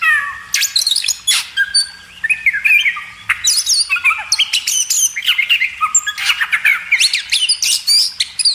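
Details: Magpie robin singing for cage-bird training: harsh squawky notes and scratchy phrases blend with quick, varied whistles in a busy, continuous sequence.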